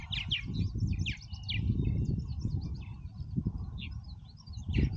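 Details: Many purple martins active together in Oak Harbor, Ohio, giving scattered bright chirps and warbled notes above strong low-pitched background rumble.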